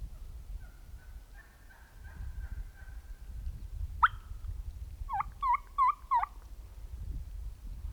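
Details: Wild turkeys heard in fall near a roosting site, one of several flocks. Faint drawn-out tones, a single sharp note, then four quick bent calls, all partly buried in steady low wind or rumble.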